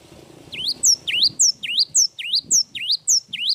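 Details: Cinereous tit in full voice, giving a long song of crisp whistled notes. Each note swoops down and then up, repeated steadily about twice a second over faint background murmur.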